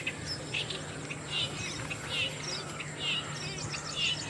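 Green bee-eater giving short, high trilled chirps, about one a second at an uneven pace, over steady background hiss and a low hum.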